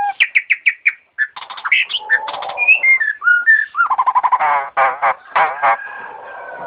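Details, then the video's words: Starling singing melodiously: a rapid, varied run of clear whistled notes, slurred rising and falling phrases, buzzy rattling bursts and repeated trilled notes, loud and continuous, with no other sounds. "Burung jalak nggacor merdu"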